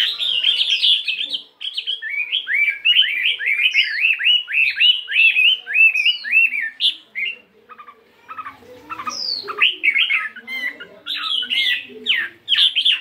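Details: A 72-gram fighting Chinese hwamei practises its morning song, switching between voices. It gives rich, varied warbled phrases: rapid rising and falling whistles, then a run of repeated chirps, then a pause and more jumbled phrases.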